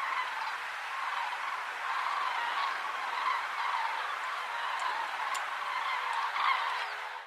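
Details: Common cranes of the nominate subspecies at Lac du Der, France, in November: a dense, continuous chorus of many overlapping trumpeting and rolling calls from a large flock, steady in loudness throughout.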